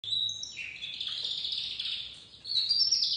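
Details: Young white crested domestic canary, dominant white, beginning to sing: a continuous high warbled strand with trills and sliding whistles, dipping lower near the middle, then brightening into a sharper rising phrase near the end.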